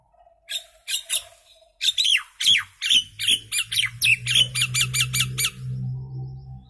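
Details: Common myna song of spaced, then quickening harsh notes with downward-sliding whistles, building into a fast series while a steady low droning hum plays underneath.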